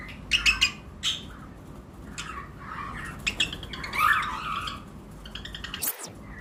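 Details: Paired lovebirds of various mutations in a flight colony in breeding season utter scattered sharp squawks and high chirps, a few isolated, some clustered, amid other birds in the aviary.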